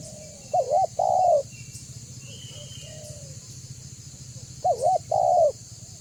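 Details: Spotted dove of the banggo voice type, used as a lure to draw other doves to call and approach: two mellow coo phrases, each a wavering double note then a longer held note, about four seconds apart, over steady high hiss and low hum.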